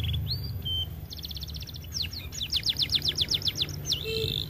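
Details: Canary, described as reluctant to sing because it is too fat, delivering a varied phrase: high thin whistles, a fast buzzy trill of even notes, then quick rising-and-falling slurred syllables repeated several times a second, ending on a held whistle over low background hum.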